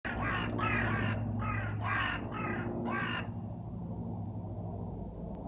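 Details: Crow calling: a series of about six harsh, hoarse caws in quick succession over three seconds, then stops, with a steady low background hum throughout.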